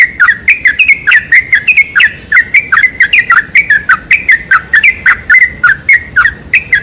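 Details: Sooty-headed bulbul lure recording, played to make bulbuls sing: a fast, busy run of short bright chirping notes, each sharply bending, tumbling out several per second without pause over a quiet background.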